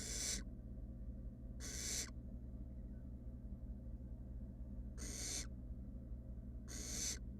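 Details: Wild barn owl nestlings, three fluffy chicks in a research nest box, uttering drawn-out rasping hisses: two close together, a long pause, then two more, with a constant low background hum.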